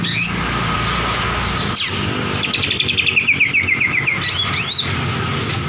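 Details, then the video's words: White-rumped shama song used as a lure to provoke a silent bird to sing: short bursts of rapid, repeated whistled notes near the middle and end, over a steady loud hiss of background noise. "Suara Pancingan Burung Murai Macet DIJAMIN NGOTOT"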